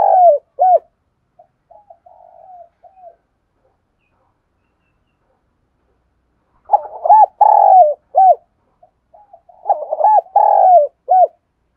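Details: Spotted dove used as a decoy bird to provoke and train newly caught birds, giving bouts of deep, rolling coos in short phrases with pauses, then two louder repeated phrases close together.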